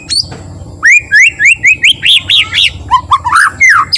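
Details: White-rumped shama's slow, relaxed song to provoke other shamas into singing: a rhythmic sequence of rising whistled notes, about four per second, some with buzzy overtones, ending in lower slurred whistles.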